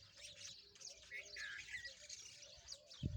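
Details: Rosy-faced lovebirds at play: quick high chirps mixed with a few clearer rising whistled notes, forming a busy twittering stream that ends with a sudden low bump.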